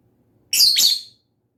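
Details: A lovebird gives a single bright, harsh chirp made of two quick linked parts, high-pitched and buzzy, about half a second long, then silence over a faint low hum.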